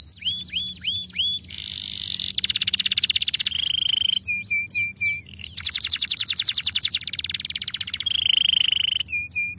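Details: A young canary sings a rapid, varied song as a lure for long rolls: downslurred whistled notes, long buzzy trills and rolls, and sharp repeated chips, all high-pitched and continuous.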